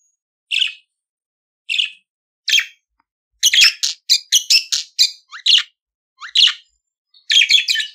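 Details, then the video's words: Budgerigar song: three spaced single chirps, then a quick rattling series of scratchy clicks and squeaks, followed by rising notes and a final chattering burst, otherwise quiet. "CANTO DO PERIQUITO AUSTRALIANO - Ensine Seu Periquito Cantar !"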